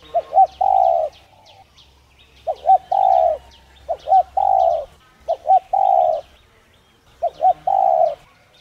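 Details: Spotted dove giving repeated coos meant to rouse other doves to call: five phrases of two short hooting notes then a longer sustained coo, roughly every 1.5 seconds, over high chirping birds.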